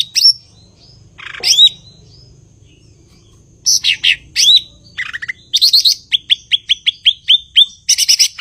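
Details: Blue-winged leafbird (cucak ijo) singing: sharp chirps, then bursts of rapid trills and a fast series of about eight clear, downslurred whistled notes, all high and loud over a faint low hum.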